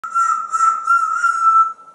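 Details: Pet male African grey parrot, hatched in 1997 and kept in a home in Texas, looking out a window on a pretty day: one steady, clear, mid-pitched whistle held for nearly two seconds with slight wavering.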